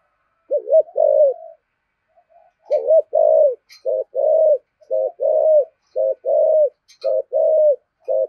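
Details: Spotted dove kept as a decoy bird, cooing in the "thổ" voice style: low, hollow two-part phrases, a quick wavering double note then a longer level coo, repeated about every second with a pause after the first phrase.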